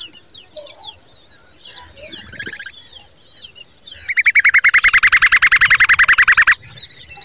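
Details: Common babbler protecting her babies in the nest: scattered soft chirps from several birds, then a loud, harsh, nasal note repeated rapidly about fifteen times over two and a half seconds, stopping abruptly.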